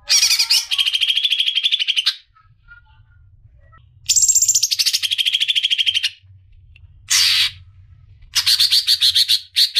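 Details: Female greater green leafbird calling the male: harsh, buzzy, rasping bursts, each about two seconds long, separated by silent gaps, with a faint low hum underneath.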